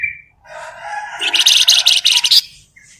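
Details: Flamboyan bird singing as a lure for other birds: a short whistled note, a rising, swelling phrase, then a rapid, loud, buzzy high trill of pulsed notes ending abruptly, followed by a faint whistle.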